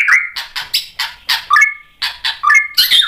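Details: A white-rumped shama, stirred up by a rival, delivers its repertoire as short punchy bursts about every quarter second, harsh and broadband, with clear ringing whistled notes at about 1.6 and 2.5 seconds.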